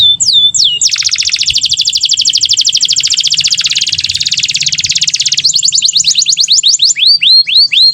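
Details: Canary singing loudly with rich variations, intended as training song for young canaries; a few swooping whistles, then a dense, buzzy rapid roll of over four seconds, followed by slower repeated rising and falling swoops.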